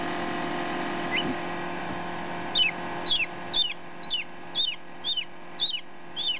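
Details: Chick just ten minutes out of the egg, heard close up beside a one-day-old chick: a faint early note, then a steady run of sharp, high, falling peeps roughly twice per second over a constant background hum.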